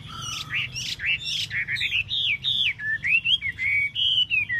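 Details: Chinese hwamei, singing a rich, varied whistled song of slurred rising and falling phrases, loud and continuous with brief pauses, over a low background hum.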